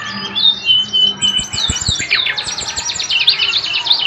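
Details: Lively songbird singing in a small room: a drawn whistle, then a fast stream of sharp chirps, squeaky notes and rapid trilled bursts repeated several times a second, with a few dull knocks or taps partway through.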